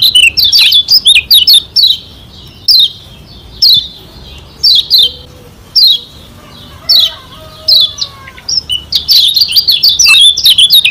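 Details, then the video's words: Lombok white-eye, yellow-toned local type, sung as a training track meant to provoke rivals: sharp high chirps sweeping downward, in irregular bursts and single notes, with faint lower drawn whistles in the background. "Masteran Kecial Kuning SELALU SUKSES Pancing Emosi Lawan Bikin Cepat GACOR"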